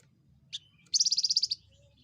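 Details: Javan fulvetta, a small insect-eating bird with a loud voice, gives a brief high chirp, then a fast run of about nine bright, rapid notes lasting half a second against a quiet background.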